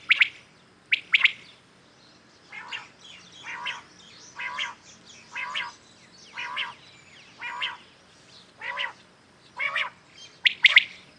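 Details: Common quails calling in the morning: a steady series of short, harsh, chirping bursts repeated roughly once per second, about a dozen in all, with sharper, louder notes at the start and end.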